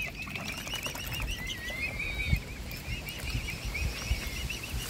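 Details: Hand-fed mute swan cygnets peep in quick, high arched notes with one longer sliding whistle. Dull knocks and low rumbling noise sound in the background.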